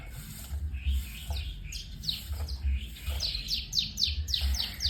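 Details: White-rumped shama song: a rapid series of sharp, high, downward-sweeping whistled notes, with some varied warbles between phrases, over a steady low rumbling hum with soft rhythmic thumps.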